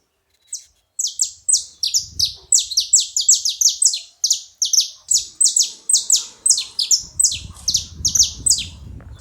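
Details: At a feeding spot, a saffron finch pours out rapid, sharp chirps, short downward-sweeping notes packed closely together for several seconds, with a faint low rumble near the end.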